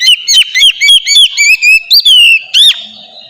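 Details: Oriental magpie-robin used as a singing lure, delivering quick repeated whistled notes about four per second, then a long sliding whistle and a sharp upward-curving note.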